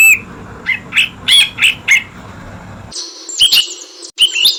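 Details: Brinji Kelabu, the Ashy bulbul, chirping as a master recording: a handful of short, bright chirps in quick succession, then an abruptly cleaner section with a few high, buzzy twittering notes.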